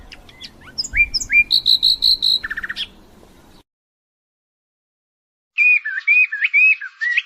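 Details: European goldfinch song: quick twittering whistles, a string of loud ringing notes and a low buzzy trill over soft hiss, then after a pause a squeaky, warbling phrase of harsh rising notes.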